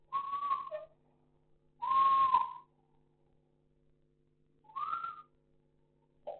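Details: In Sukkur, Pakistan, an African grey parrot gives loud, drawn-out whistles: a steady tone with a short lower note, a long strong whistle, then a higher rising one after a silence.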